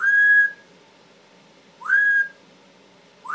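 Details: Timneh African grey parrot, a talkative male pet, repeats a loud clear whistle three times, each rising quickly and holding level for about half a second, spaced roughly 1.7 seconds apart.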